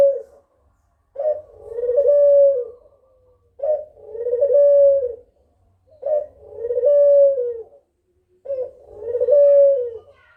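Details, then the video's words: Kugeruk call used as a lure to draw answering birds: low, hoarse cooing phrases, each a short burst then a longer wavering coo that falls at the end, repeated about every two and a half seconds, four times. "Suara Burung Kugeruk Cocok Buat Pancingan"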